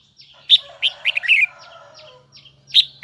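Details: Red-whiskered bulbul of the Huế type in full high-pitched song: loud twisting whistled notes grouped in a rich phrase, faint lower chattering below, then quieter downslurred chirps and another bright note.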